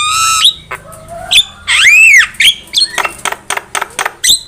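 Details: Javan myna lure song for trapping birds: a harsh squawk, then a long arched whistle rising and falling, followed by rapid dry clicks and short chattering notes.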